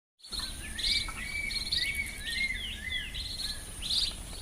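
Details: White-rumped munia, called do-bit in Garo, from the Garo Hills of Northeast India: quick high chirps and short downslurred notes mixed with thin flat whistles and buzzy upper notes, all repeated through the clip over a low steady background hum.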